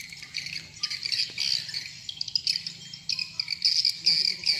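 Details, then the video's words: Lure sound used to draw swiftlets in farming, "sp rambut lmb" style: irregular buzzy twitters and scratchy chirps, growing denser toward the end, above a faint low hum. "Respon burung walet Suara walet sp rambut lmb Original"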